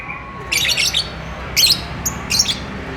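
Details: Courting lovebird chirping in a mating mood: four short, sharp, high chirp clusters spaced irregularly over about three seconds, separated by quiet pauses against a faint background hum.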